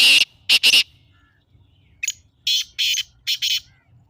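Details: Black francolin calling, a recording used to stir caged partridges into calling: a loud double rasp, then a longer grating phrase of staccato harsh notes with tiny pauses, over slight low background hum.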